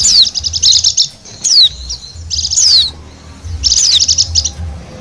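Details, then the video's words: Wild Bali white-eye lure song: three bursts of rapid, high, scratchy trilled twittering, each ending with a sweeping downslurred whistle, separated by brief quieter pauses. "suara pikat dan pancingan bunyi burung pleci bali liar"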